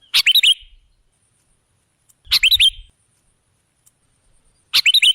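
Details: Sooty-headed bulbul (kutilang) lure song: three separated phrases of quick, rising, whistled notes about two seconds apart, with a low rumble beneath the middle phrase.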